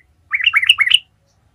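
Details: Single lively phrase from a yellow-vented bulbul (trucukan) in ngalas style, a lure recording to make other birds start singing: four quick, liquid, rising-falling notes run together in under a second, with no other sound.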